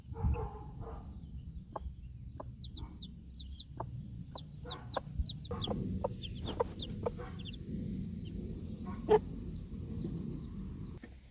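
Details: Backyard mother hen standing with her four young chicks at feeding time outdoors, alert after a dog barks: soft low clucks at irregular intervals under thin, high, downslurred chick peeps in quick pairs.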